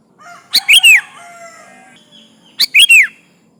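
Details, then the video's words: Sooty-headed bulbul singing vigorously to call rivals, meant as a lure: two bubbly phrases ending in a ringing, downward-curving whistle, separated by about two seconds of low, steady background tones. "Suara burung kutilang gacor memanggil lawan"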